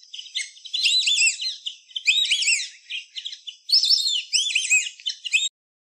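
White-faced whistling ducks give clear, high, three-note whistles in overlapping bursts every second or two, several birds calling together.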